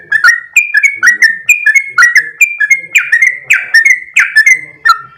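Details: Sooty-headed bulbul delivering its energetic 'ropel' song: loud, bubbly whistled notes with sharp onsets and falling tails, some louder downward sweeps near the end, with soft low noises underneath.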